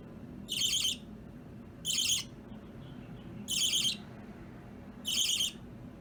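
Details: Budgerigar chicks kept as pets with other budgies, chirping during chain play; four harsh, buzzy half-second bursts spaced well apart, over a quiet indoor background.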